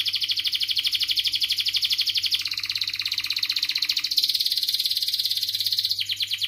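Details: Long canary song meant to stimulate and train other canaries: one unbroken, very rapid high trill that changes pitch and texture twice, with a faint low electrical hum underneath.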